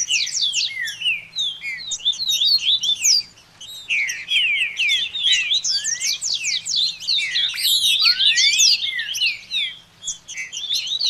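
Double-collared seedeater song: rapid, dense runs of high, sweeping whistled and buzzy notes.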